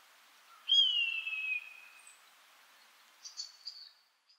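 An Eastern buzzard gives a long, high, mewing whistle that slides gently downward for about two seconds, then a few fainter, thinner squeals follow.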